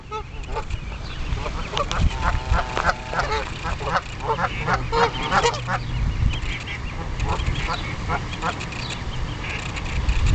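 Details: Geese on a duck and goose pond defending four goslings against approaching geese; rapid, overlapping nasal honks stack up in a noisy scuffle, over steady low rumbling background noise.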